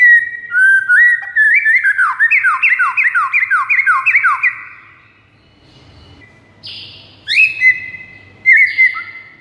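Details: White-rumped shama lure song aimed at rival shamas: a long train of quick descending slurred whistles, then a pause and a few separate bright rising whistles with short harsh notes.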